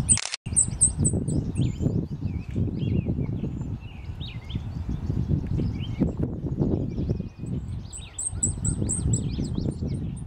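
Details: Blackpoll Warbler in the morning at Boreal Island, AE Wilson Park, Regina, Saskatchewan, May 29, 2014; a thin, very high series of rapid ticking notes near the start and again at the end, over strong low rumbling noise and other birds' whistles.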